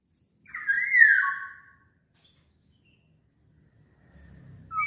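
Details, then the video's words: Black-naped oriole giving one slurred, fluty whistle that rises then falls over about a second, followed by near silence and faint low rumble, with a brief whistle starting at the end. "Burung Kepodang Super Gacor"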